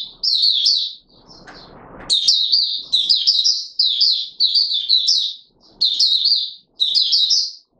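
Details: High, thin twittering bursts from an Oriental white-eye (Mata Puteh Raja) singing in courtship mode on 25 January 2022, phrases lasting about a second with short gaps; a burst of rustling noise early on.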